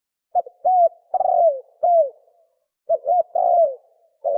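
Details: Repeated 'sấm chuông' phrases from a spotted dove, played to stir up males, females and wild birds: two full sequences of short notes, a long falling coo and a trailing coo, with a third phrase starting at the end.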